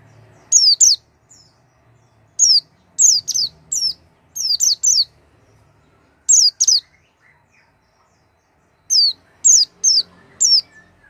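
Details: Oriental white-eye singing as a lure for a silent bird: high, thin, downward-sweeping chirps in short clusters of two or three, separated by pauses of one to two seconds, against a quiet background.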